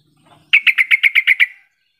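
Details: Yellow-vented bulbul call to encourage reluctant bulbuls to reply: a crisp burst of eight rapid, evenly spaced chattering notes after a soft low murmur.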